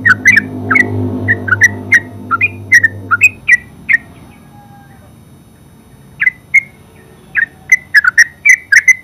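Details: Yellow-vented bulbul, known as terucuk, delivering ngeropel-style song: clipped chirpy notes roughly once a second over a low droning hum that fades after a few seconds, then a quiet gap before more quick notes.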